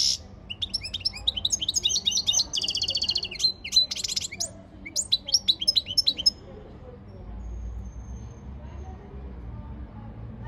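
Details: European goldfinch training song in long bursts of rapid twittering and buzzy trills over about six seconds, followed by quiet with low background rumble.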